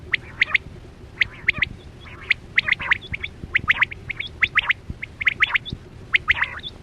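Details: Hunting lure of quail for net trapping: busy repeated sharp chirps in triplets, some with soft raspy undertones, and occasional high hooked notes from other birds throughout.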